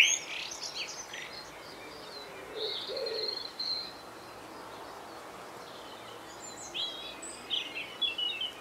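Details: Common blackbird singing in rural Devon, England: short bursts of high, squeaky twittering notes, with a brief low mellow phrase midway and other small birds chirping faintly.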